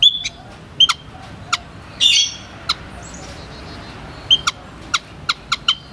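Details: White-headed munia giving short, high, thin piping notes, some single and some in close pairs, mixed with sharp dry clicks and brief rustling bursts.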